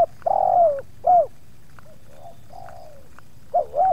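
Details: Spotted dove cooing during dove luring, as two wild doves approach a kept bird and the second one resists: low hollow coos, a long falling note, then short paired rising-falling notes, with faint softer replies between.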